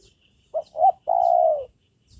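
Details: Spotted dove, a trained decoy bird used to lure wild doves, now calling readily: two short cooing notes, then one long, steady, drawn-out coo that falls slightly at the end. Faint high chirps from other small birds sound behind it.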